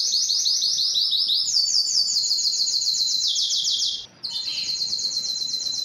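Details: Belgian canary singing to attract females for reproduction: dense high rolling trills in two pitch bands, an abrupt half-second pause, then a new bright tour continues.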